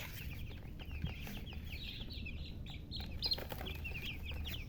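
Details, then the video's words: Baby chickens chirping: clusters of high, quick, wavering peeps from several chicks, with brief gaps, over a low continuous hum and a few soft knocks. "silly chicken chirping sounds"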